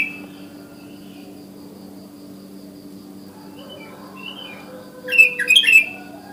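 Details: Wild sooty-headed bulbul (kutilang) calling in the morning, used as a lure to draw other bulbuls to sing. Mostly quiet with faint scattered notes over a steady low hum, then a brief burst of bubbly, fluty notes near the end.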